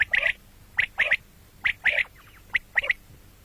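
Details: Common quail heard morning and night: five quick, high, clipped triple-note bursts in a brisk rhythm, each phrase sharp and ringing, about two-thirds of a second apart.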